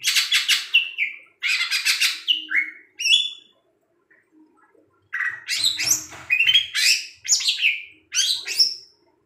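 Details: Captive long-tailed shrike singing at night with tail movements: loud, harsh, buzzy phrases, each ending in a falling whistle, delivered in bursts of about a second with short silent gaps.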